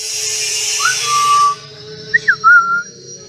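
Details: Hill myna kept as a pet, presented as saying "Assalamualaikum"; a brief pure whistled note, then a quick cluster of three short whistles over steady background hiss and a low hum, after a person's greeting.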